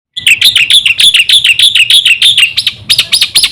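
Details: Black-winged myna song, full-voiced and used to lure other mynas into singing: rapid run of sharp, bright notes repeated about three per second, ending in a few looping arched whistles.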